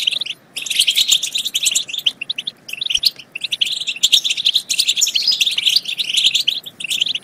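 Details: European goldfinch twittering, played to prompt goldfinches to sing and mate; fast, jangling chirp sequences with brief gaps around half a second and three seconds.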